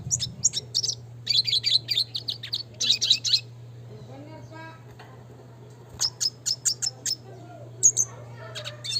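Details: Red siskin (Spinus cucullatus), sung in the lively classic training style: rapid bursts of high twittering and buzzy notes, a pause, then a spaced series of sharp chirps, over a constant low electrical hum.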